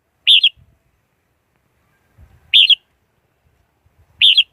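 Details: Red-whiskered bulbul song: three short, bright warbled phrases of mid-high pitch, each under half a second, spaced about two seconds apart, with faint low knocks in between.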